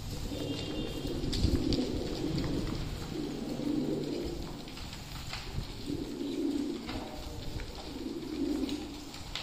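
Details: Fancy pigeons at feeding time, giving low, soft cooing phrases in repeated rounded bursts every couple of seconds, with shuffling and fluttering noises and a faint background hiss.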